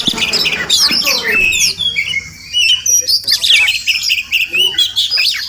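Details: Oriental magpie-robin, wild, visiting a home every morning; clear slurred whistles and scratchy calls in bursts separated by short quiet gaps.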